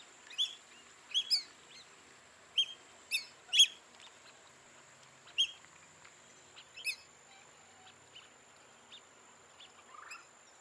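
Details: Black-bellied whistling duck (Dendrocygna autumnalis), call.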